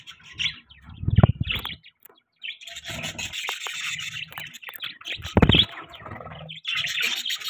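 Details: Budgerigars chirping at morning time, a continuous high warbling chatter with scratchy rubbing and low thumps mixed in.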